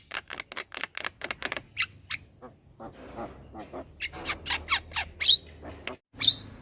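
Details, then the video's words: A young Javan myna, bobbing and chattering nonstop, delivers fast trains of dry, clicking squawks. Louder harsh notes and a couple of sharp squeaks follow, with a low hum underneath. "Ocehan Jalak Kebo Muda Suara Asli Jalak Kebo Manggut Manggut Ngoceh Tanpa Henti"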